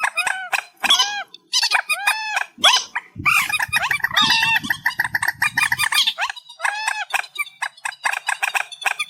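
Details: Reed warbler song, boosted in volume: long run of repeated arched, harsh notes grouped in rapid series, mid-section denser and more jumbled, then repeated arches again.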